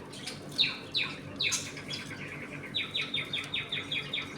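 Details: Home colony of budgerigars, eating, playing and fighting: several quick downward-sliding chirps, then a steady string of short, even, tinny notes repeated about four times a second, like chattering warble.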